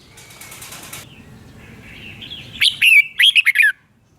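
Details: Red-whiskered bulbul recording for training caged birds or trapping: a fluttering rustle at the start, then a brief burst of loud twisting chirps and whistled slurs near the end.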